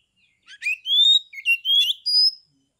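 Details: Oriental magpie-robin, a caged bird used to provoke rival magpie-robins into singing, from Kebumen, Central Java, Indonesia: a clear burst of rising whistled notes and short slurred phrases lasting about two seconds, with a silent background.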